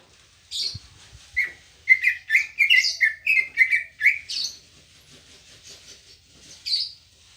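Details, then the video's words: Green leafbird, called cucak ijo locally, kept at a home: a run of bright, fast whistled and chirping notes with sharp upward flicks, about ten phrases packed into two seconds, then scattered softer chirps, with a faint low hum beneath. "Suara Burung Cucak Ijo Gacor Apik Merdu"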